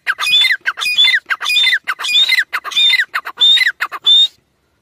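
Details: Teetar partridge of the Dakni or Irani type. It gives a close, loud series of harsh, rising squawk notes, each followed by quick chuckling syllables, repeated steadily about every 0.6 seconds. The calling stops abruptly near the end.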